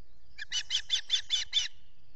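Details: Osprey at a nest with chicks at Salt Point in the Finger Lakes, US, recorded by a solar-powered nest camera early on 14 June 2021 during a feeding. It gives six quick, evenly spaced chirped notes in about a second, each sharp and high.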